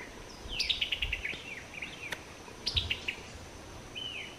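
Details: Summer tanager chuckling calls: a fast descending run of staccato notes, a shorter second run, then a brief slurred note, with soft background hiss.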